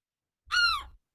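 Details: A Herring Gull from the Isles of Shoals gives a single harsh, nasal alarm note, the low-threat version of its alarm call.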